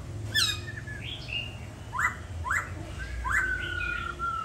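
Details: Caged laughingthrush, filmed at home in Hanoi while moulting its tail feathers and judged a good singer, sings loud, rich phrases: rising slurred notes, a burst of chatter, then long clear whistles, over a low background hum.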